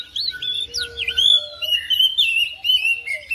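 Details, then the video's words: Home-kept oriental magpie-robin answering another bird within seconds, a rapid stream of clear whistles, swooping slurred notes and chirps in short bursts, with a faint low hum beneath. "DALAM HITUNGAN DETIK KACER RUMAHAN RESPON NYAUT IKUT GACOR"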